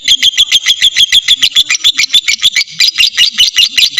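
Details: Lovebird in ngekek, a full trill played as a lure to lengthen other lovebirds' singing: shrill, evenly spaced chirping pulses, turning slightly rougher and denser in the second half.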